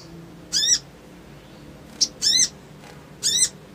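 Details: Crimson sunbird used as an emotional lure, ngriwik-ngleper-trotol style: three bright, high, downward-arched calls spaced roughly a second and a half apart, one preceded by a short click.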